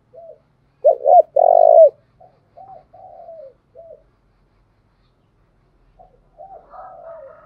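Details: Spotted dove used as a decoy to draw wild doves: scattered soft coos, then a loud phrase of two quick rising notes and a sustained coo, followed by quieter falling coos and faint later phrases.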